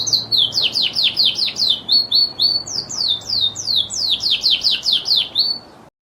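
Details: Song of a Lizard canary, a continuous series of fast descending sweeping notes repeated several times per second, high and bright, ending abruptly.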